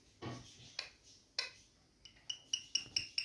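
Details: Rose-ringed parakeets being affectionate with each other; one gives a quick run of short, high, clipped chirps about five times a second, after a few soft clicks and rustles.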